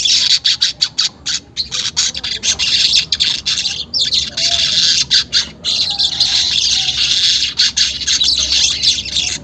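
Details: Harsh, buzzing weaver song in rapid bursts separated by short breaks, unedited, used as therapy to get caged weavers to chatter quickly.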